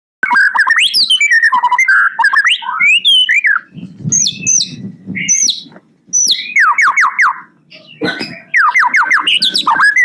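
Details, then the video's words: White-rumped shama singing an isian in terotol style: a fast, varied medley of loud whistled slurs, sharp chips and rapid trills, briefly dropping to a soft murmur midway before bursting back into rich, rising and falling phrases. "isian suara murai batu terotol"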